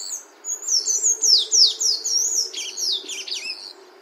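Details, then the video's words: Sustained twittering from a sayaca tanager in nature: a continuous, high-pitched chatter of quick squeaky slurs rising and falling, with a faint low steady hum beneath. "SANHAÇO CINZENTO CANTANDO NA NATUREZA"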